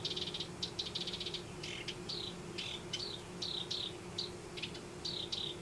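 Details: Nesting house wrens in a Denver yard give dry rattling bursts followed by separate, clear, falling whistled notes spaced roughly every half second, with a constant low background hum.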